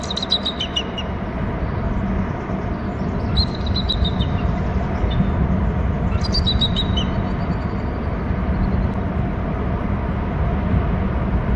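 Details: Two bald eagles calling in their nest territory on Hornby Island: three bouts of high, piping notes, each stepping downward in a quick series, heard over a loud, steady low rumble.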